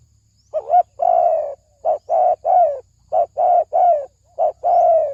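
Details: Spotted dove cooing as a lure for males and females, a 'thổ sấm đồng' style: repeated two-part phrases, a short coo then a long slurred descending coo, four phrases in quick succession with brief pauses.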